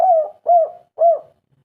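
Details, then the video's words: Spotted dove of local stock giving the three-note kuk 3 call meant to get other birds calling: three soft, hollow coos, each slightly falling, evenly spaced about half a second apart. "derkuku kuk 3 lokal gacor suara terbaik"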